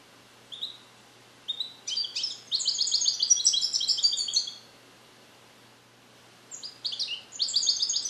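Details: Song-trained captive-bred male European goldfinch, hatched 2021 in the USA, practising incomplete Neapolitan passages inside a carrier: a few sparse notes build into a long, fast, liquid twittering run, pause, then another tinkling burst begins.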